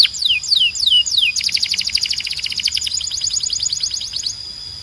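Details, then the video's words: Belgian canary song with rising-falling whistled slurs followed by a fast, even trill of rapidly repeated notes that slowly fades. "Don’t Play This Near Your Belgian Canary… It Might Sing Non-Stop"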